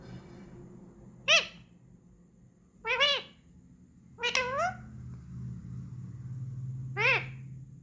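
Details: A parrot saying "mummy" indoors, four separate wavering, voice-like calls at irregular intervals, each rich in harmonics and rising then falling in pitch, with low room hum between them.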